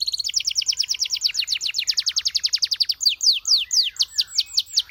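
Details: Singing canary delivering a long, steady stream of high downswept notes, several per second, shifting after three seconds to slower, broader arched whistles.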